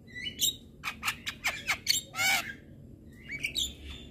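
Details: Male Javan myna song that provokes other mynas: a series of short harsh rasping bursts, a longer buzzy screech, then a brief pause before a final twittering whistle.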